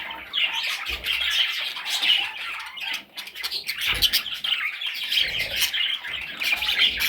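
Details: Parrot chicks calling: a continuous harsh, raspy chatter of overlapping squawks, swelling and fading without pause, with a few soft thumps and a brief lull near the middle.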